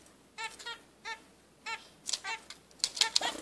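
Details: Two-day-old zebra finch chicks give short, thin, buzzy cheeps about every half second, followed by scratchy rustling and clicks near the nest.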